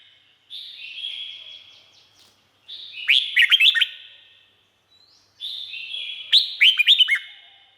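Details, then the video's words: Thai red-whiskered bulbul, song for training or livening up caged birds: soft, long whistled notes leading into two loud, chattering clusters of looping upslurred notes, ending in a ringing fade. "เสียงนกกรงหัวจุก สำหรับต่อ หรือ เปิดให้นกคึก เสียงเพราะๆ"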